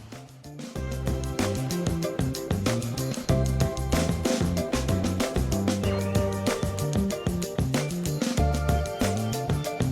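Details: Upbeat instrumental background music with a steady beat and layered chords, with no animal voices.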